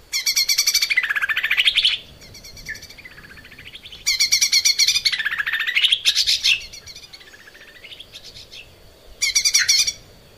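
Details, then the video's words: Lesser green leafbird in full song in a cage, recorded as training material for other cage birds. Three loud bursts of rapid harsh chattering mix with swooping slurred whistles and softer twittering between them. "kicau cucak ijo mini gacor buat masteran"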